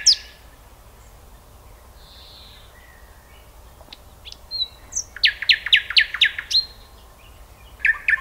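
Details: Sparse, scattered whistles from a common nightingale lead to a loud rattling run of repeated notes, another pause, then a brief fresh phrase beginning.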